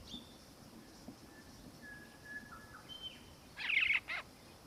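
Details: Black-faced cuckoo-shrike (Coracina novaehollandiae melanops) giving a short burst of loud, rolling churred notes near the end, after faint thin whistles and soft background hiss; Victoria, Australia, December 2019.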